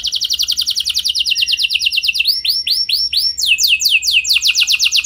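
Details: Lavish canary song used to trigger singing in other canaries: rapid repeated high sweeps, then slower arched notes and quick looping phrases, delivered without pause.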